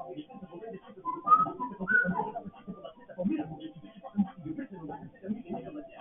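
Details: African grey parrot in its first attempt at freestyle rapping indoors: a run of speech-like mumbled syllables with rhythmic pitch changes, broken by two short clear whistles early on.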